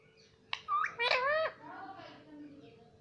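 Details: Pet parrot indoors in a small room, mimicking the word mummy: a short burst of nasal, harmonic-rich syllables rising and falling, then quieter voiced tones, with faint room hum beneath.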